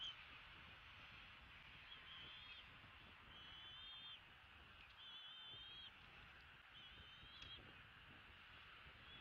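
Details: Bald eagle parents at a nest in Southwest Florida on 19 February 2017 at 8:42 in the morning, the mother feeding a chick. Faint, thin whistled phrases repeat about four times amid steady background hiss.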